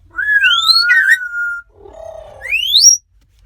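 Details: Many African grey parrots together in a car, heading onto a ferry to Vancouver; a loud slurred whistle rising then levelling, a lower buzzy note, then a sharp upward-sweeping whistle.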